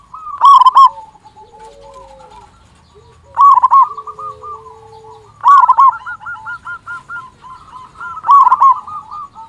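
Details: Local zebra dove, an eager loud singer, used to trigger song in silent doves. Four strong bursts of fast staccato cooing about every two and a half seconds, with fainter dove coos and low drawn-out tones between.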